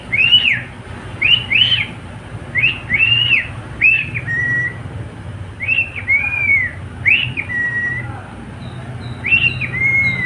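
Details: Pet cockatiel singing: clear arched whistles that rise and fall, often in pairs, each followed by a short flat note, repeated through the clip over a steady low background hum.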